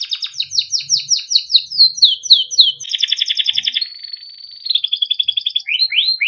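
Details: Timbrado canary singing for training: series of falling swept notes, a dense buzzy trill, a held level whistle, a quick pulsed trill and final swooping notes, high and clean.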